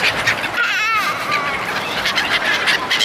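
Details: Gulls being fed by people. One wavering, drawn-out cry rises and falls over a busy background of shorter squeaky calls from the rest of the flock.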